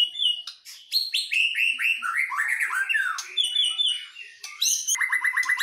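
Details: Two white-rumped shamas dueling in song, Medan bird versus wild Nias forest bird: rapid run of downward-slurred whistles and chattering notes, closing with a fast repeated chip series.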